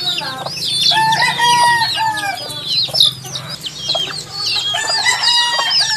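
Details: Many baby chickens peeping together, a dense chorus of short high rising and falling cheeps overlapping continuously, with a few lower steady peeps and a faint low hum underneath.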